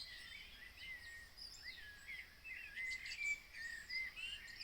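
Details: Early summer birdsong near Copenhagen at half past three in the morning, a chorus of faint whistles, trills and slurred notes from several birds against constant background noise.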